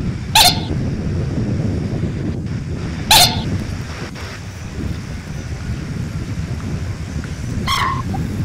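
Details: Common moorhen uttering three brief, harsh calls, the first two nearly three seconds apart and the last after a longer pause, against a low rumbling background.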